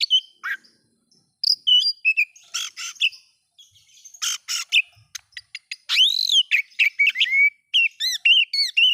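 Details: Oriental magpie-robin song to provoke rival magpie-robins: varied whistles, rasping bursts and clicks, then a loud arched note, rapid whistled phrases and a closing series of repeated arched whistles.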